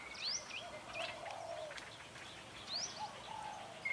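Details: Several wild birds singing in forest at Phu Sing, Sisaket, Thailand: high thin upslurred whistles, scattered chirps and lower drawn-out tonal notes overlapping against a steady hiss of background noise.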